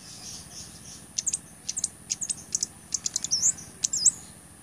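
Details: Blood-breasted flowerpecker singing, recorded as a master track for teaching other songbirds and luring wild birds: rapid series of very high clicking ticks in pairs and triplets, with a few short slurred up-and-down whistles near the end.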